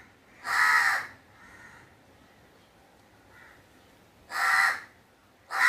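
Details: Crow uttering loud, coarse caws: a strong call, softer fainter caws in between, then another loud caw and the start of a third, with quiet noisy pauses.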